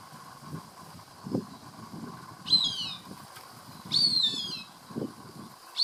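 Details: Three loud, high-pitched, falling squeals, roughly a second and a half apart, from a Cooper's hawk voicing pleasure while eating a caught rat, heard from a garage door over soft rustling and a low hum.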